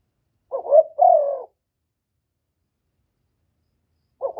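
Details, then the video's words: Spotted dove calling to provoke rivals, clean recording: one low two-part phrase, a quick quavering coo then a longer falling coo, followed by near three seconds of silence and the start of the next phrase. "Tiếng chim cu gáy kích bổi giọng hạp bổi"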